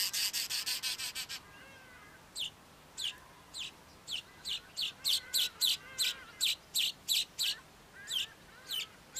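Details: A male Cape weaver sings a long, wound-up song. It opens with a rapid burst of harsh buzzy notes, then a steady run of separate wheezy, sizzling pulses about three per second.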